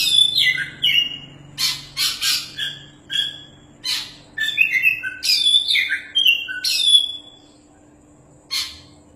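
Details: Champion Oriental magpie-robin singing vigorously: loud, varied whistled phrases, sweet slurs and buzzy rasping bursts in quick irregular succession with short pauses, then a final harsh note after a silence; a faint steady low hum underneath.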